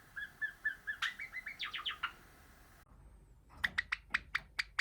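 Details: Practising cream Java sparrow, a pet bird: a steady string of soft piping notes turns into quick falling chips, then after a brief pause a run of sharp, evenly spaced clicking notes.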